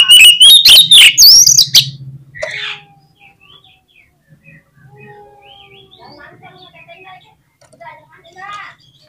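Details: Kacer (oriental magpie-robin) in full song for use as a contest lure: a loud, rapid burst of sliding whistles and clicks over a low hum, then quiet, thin warbled notes.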